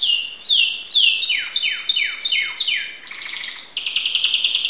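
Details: Singing Timbrado canary from a Greek keeper, 2009: loud high sweeping notes falling in pitch one after another, followed by a fast buzzy rolled trill held steadily to the end.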